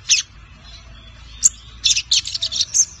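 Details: Lined seedeater, five months old and caged, learning the "Tui Tui zel zel" song; a few isolated sharp high notes, then a fast cluster of buzzy chirps near the end.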